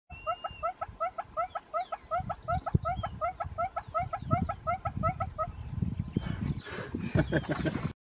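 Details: A displaying northern red-billed hornbill gives a long series of hollow clucking notes, about three per second, over a low rumble; the series ends with a bumping noise and a brief voice.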